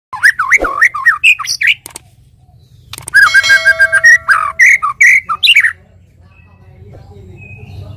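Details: White-rumped shama morning lure song: loud, varied whistled phrases that rise and fall in pitch, a steady harmonic-rich buzzy tone in the middle, then a few more sweeping notes before quiet hum.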